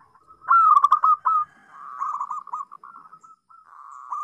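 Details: Local zebra dove song used to tutor young doves learning to sing: soft, mellow cooing notes in quick uneven pulses, a louder burst of rolling coos early on, then quieter trilled cooing, with no other clear sounds.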